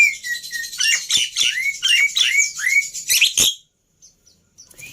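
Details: Black-winged myna song used to lure and train birds: a chain of upslurred and downslurred whistles with harsh overtones, a few sharp clicks, then it stops with only faint chirps left.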